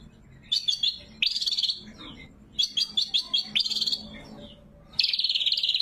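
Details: Lure and training song of a greater green leafbird (cucak kombo), loud, clear and natural: quick high chirps and short buzzy trills in clusters, then a quiet gap and a sustained, rapidly pulsing high trill at the end.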